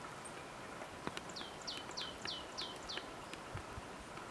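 A Goldcrest gives a quick run of six or seven very high, thin, falling notes, about three a second, among scattered clicks and knocks.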